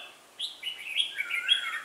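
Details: Red-whiskered bulbul singing during bird trapping on 4 December 2016; a short run of clear, warbled whistled notes sliding downward, bright and liquid, in a quiet background.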